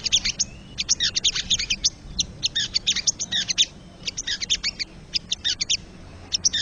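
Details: Wild crested jay (sogon) song used to stimulate caged birds: bursts of rapid, dry, chattering notes in tight clusters, broken by short pauses, with a faint low hum beneath.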